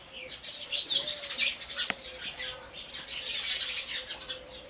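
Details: Busy chatter of house sparrows, high chirps packed closely together in two loud waves, with a single sharp click midway.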